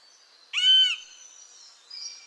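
A single loud, plaintive note from a Lesser Yellownape, drawn out for half a second and falling slightly at the end, over a thin high insect hiss.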